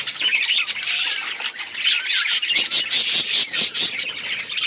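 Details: Budgerigars chatter with rapid, harsh squawks and chirps at roughly two per second, overlapping in a dense, noisy flock sound.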